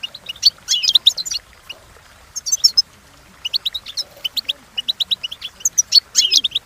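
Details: European goldfinch song used for training, with bursts of fast, high twittering and buzzy notes separated by short pauses, then a longer run of rapid chirps.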